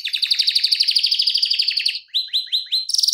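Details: Canary tutor song with long rolling delivery and fast, tight tempo: a quick even trill sliding downward for two seconds, then a few separate rising chirped notes, ending in a high shrill rattle.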